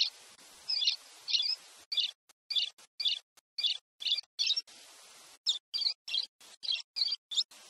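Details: Pileated parrot of Brazil calling in a fast series of brief, sharp high chirps, roughly three or four per second, each burst clipped short with silent gaps between.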